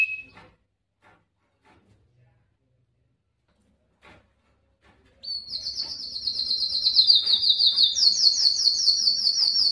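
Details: Belgian canary breeding song to draw females, for training birds: after a brief note and about five seconds of near silence with faint clicks, a very high, fast rolled trill starts and continues, stepping up in pitch.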